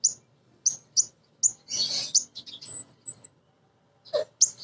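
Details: Female Crimson sunbird song, a lure to make birds sing: well-spaced, piercing high chips, then a rougher twittering burst and thin whistled notes, ending with a few more chips.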